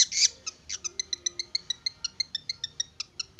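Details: Young forest long-tailed shrike, tamed for about three months, gives a fast even series of short clipped notes, roughly five per second, after an opening harsh note; quieter than the rest.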